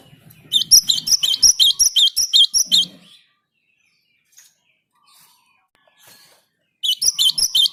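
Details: Two bursts of quick, high, sharp chipping from a Java sparrow singing vigorously to prompt other birds to sing along, separated by several seconds of near silence.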